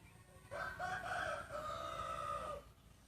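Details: Rooster crowing in a contest between breeding roosters: one long crow of about two seconds, starting abruptly then held as a steady, slightly falling note before breaking off, over low rumbling background noise.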